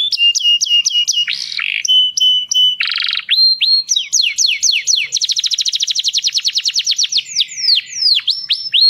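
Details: Dutch canary's mating song aimed at females: a varied run of clipped high notes, harsh buzzy bursts, sweeping whistles and a long, very fast rolling trill, all loud and clear.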